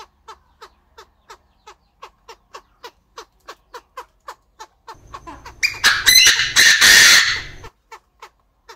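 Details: Chinese francolins in an aviary, a male crowing and a female clucking: steady soft ticking clucks about three per second, broken by a loud, raspy crow of several bursts, after which the quiet clucks resume.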